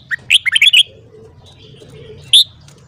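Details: Morning singing of a red-whiskered bulbul used to train song: a fast, bubbling series of bright whistled notes lasting under a second, followed by silence and one loud clear closing note.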